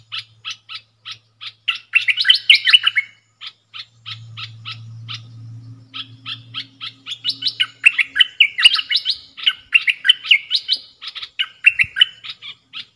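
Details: Bulbul in a cage trading dok taeng style song with wild birds, 3 October 2021: rhythmic chip series alternating with warbled, slurred phrases, a brief pause midway, and a low hum in the background.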